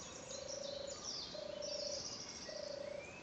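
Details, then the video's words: Purring song of a European turtle dove, Ruardean Hill, 2 June 2012: three deep, throbbing turr phrases in steady succession, each about half a second long, over quiet background birdsong. "Turtle Dove"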